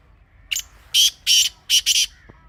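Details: Grey francolin calling a harsh rhythmic phrase: a short opening note followed by four loud grating bursts, the final pair run together, then a faint click.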